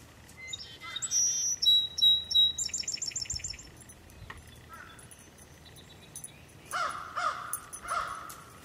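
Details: Song sparrow singing outdoors near three Border Terriers: a bright song of high whistled notes, a steady tone, then fast trilled series, followed by lower buzzy phrases, with faint background noise.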